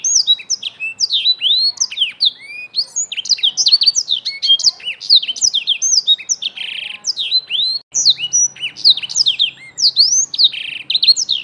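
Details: Energetic song of a young Black-throated canary: dense, varied high whistles and slurred notes with brief harsh buzzy bursts, continuing nonstop, with a faint low hum in the background partway through.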